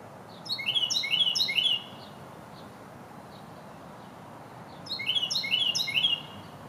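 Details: Carolina wren in New York in spring 2021 gives two loud, rolling bursts of quick repeated whistled phrases, each over a second long, separated by a few seconds of quiet background hiss.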